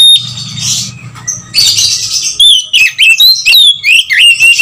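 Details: White-rumped shama lure call meant to stir other shamas into singing: harsh buzzy rasps give way to rapid, clear whistled notes that rise and fall in quick succession, loud throughout.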